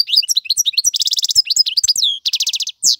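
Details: Strong male European goldfinch tutoring song for fledglings: quick liquid twitters alternating with rattling buzzy trills, closing on a single rising note.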